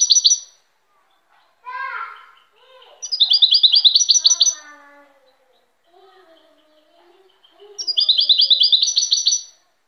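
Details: European goldfinch delivering several rapid, chattering trilled phrases of repeated high notes, while people talk quietly in between, a child's voice among them.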